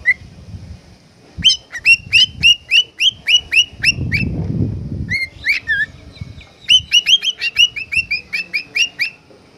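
A cockatiel sings a fast string of bright, rising whistled notes, with a brief pause in the middle.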